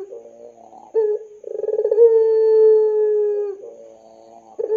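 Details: Long-voiced puter pelung dove calling as a lure to teach young doves. Short rolling coos lead into a sustained, level, mellow howling note of about two seconds, followed by softer bubbling coos and a fresh burst.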